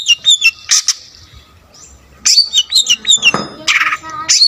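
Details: Long-tailed shrike singing energetically with a full mix of phrases, said to provoke other shrikes; high slurred whistles and rasping notes, a brief quiet gap, then more whistles mixed with harsh bursts.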